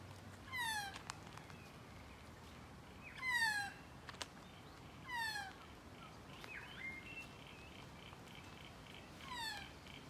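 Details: Magpie heard up close, repeating a drawn-out, falling nasal call five times at irregular gaps, with a few sharp clicks and faint whistled notes from other birds in between.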